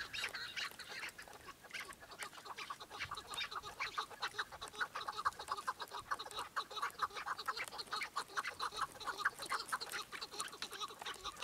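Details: Chukar partridge chorus of rapid, overlapping clucking notes running continuously, several birds calling together in a dense, chattering stream.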